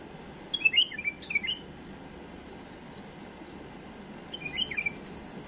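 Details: Error-free song of a tame bulbul for teaching young birds: two short, lively phrases of fluty whistles, separated by about three seconds of quiet background hiss.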